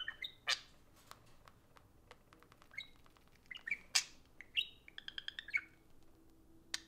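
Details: Pair of pet parakeets socializing by an iPhone. Sharp clicks and rapid ticking alternate with clear whistled chirps, including a quick run of evenly spaced pipping notes, over a quiet indoor background.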